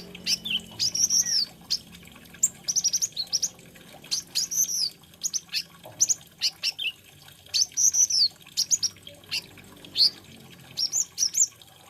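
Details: Olive-backed sunbird, called kolibri ninja or konin in Indonesia, singing a varied, filler-rich song: bursts of very high, thin chirps and short sweeping whistles in rapid clusters, with brief pauses between phrases over twelve seconds.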